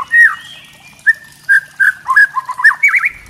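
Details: White-rumped shama of the spotted 'trotol' type giving kretekan song used to provoke other shamas: a series of short whistled notes near the middle range, some slurred and bending, spaced irregularly over three seconds.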